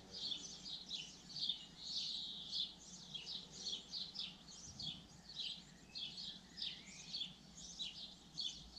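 A common linnet sings a fast, continuous twittering of varied high, chirpy and trilled notes, with a faint low hum behind it.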